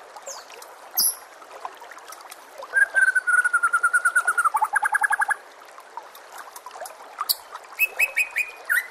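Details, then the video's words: White-rumped shama phrase for training caged shamas: a steady whistled note breaking into a rapid, even trill of repeated notes, followed by scattered high chips. Gentle trickling water and nature ambience run underneath. "murai batu anda dengar suara MASTERAN burung seperti ini"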